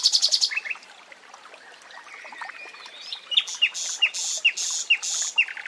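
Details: Common nightingale singing in a forest setting: a dry buzzy rattle opens, then after a quieter pause come sharp downslurred whistled notes alternating with harsh buzzy bursts, repeated about every half second.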